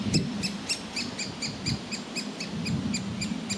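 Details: Fledgling-age woodpecker begging from inside its tree cavity, waiting for food; quick run of short, harsh, ringing notes, roughly four per second, with low background rumble.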